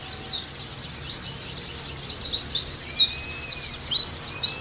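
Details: Pleci, the Oriental white-eye, sings a busy high-pitched warble of swept notes and a short rapid trill, with a faint long thin whistle in the background, played to restore lively singing.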